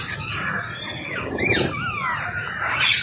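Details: Wild rose-ringed parakeets being fed, giving squealing calls with sweeping tonal notes that rise and fall, over a busy outdoor background with a low murmur.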